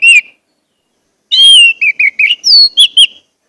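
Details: Orange-headed thrush song played to prompt caged birds to sing: a short whistle, a pause, then a run of clear whistled notes, slurred and rising-falling, with brief sharper chips between.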